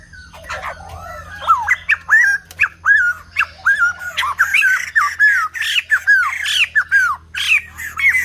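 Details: White-crested laughingthrush in full song: a rapid, excited string of loud, slurred whistles and cackling notes, repeated several times per second and growing denser toward the end, over a steady low hum.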